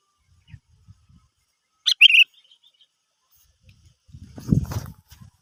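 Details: Sooty-headed bulbul, a lure recording intended to prompt other birds to sing: one quick bubbly phrase of clear notes in the middle, with scattered soft taps and a burst of low rumbling noise afterward.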